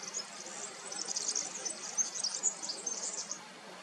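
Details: Black redstart singing near Cotallo, Plasencia, in northern Extremadura, Cáceres, Spain, captured on a Nikon Coolpix P1000: a faint, scratchy, crackling high-pitched warble runs steadily for over three seconds over a quiet hiss.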